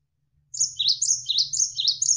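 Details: Javan sparrow (gelatik wingko) tutor song for training contest birds. A fast unbroken string of high, sharply dropping chirps begins after brief silence and continues to the end, with a soft hum of flowing water below.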